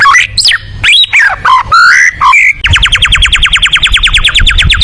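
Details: Tembakan song of a white-rumped shama, a style for competition birds: varied swooping and slurred whistles broken by short pauses, then a rapid machine-gun series of about twenty-five identical rising notes.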